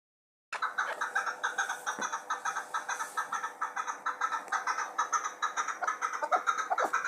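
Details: Chukar partridge from Muminobod, a hunting bird, giving a long series of rhythmic, clucking chuk notes about twice a second, with an echo suggesting an indoor space.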